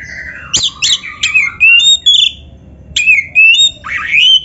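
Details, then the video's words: Kacer (Oriental magpie-robin) masteran song: rapid chattering notes followed by clear upslurred whistles, a pause, then more chattering and rising whistles. "SUARA BURUNG KACER MASTERAN"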